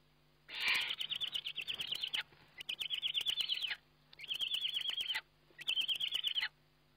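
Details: Eurasian eagle-owl filmed by webcam at feeding time on 29 May 2011, giving four high, quavering trilled calls of about one to one and a half seconds each in quick succession, with faint rustling and a low background hum.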